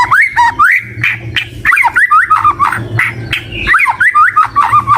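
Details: White-rumped shama in song: short, varied whistled phrases with rising and falling slurs and abrupt clicks, broken into bursts by brief gaps, over a faint low hum.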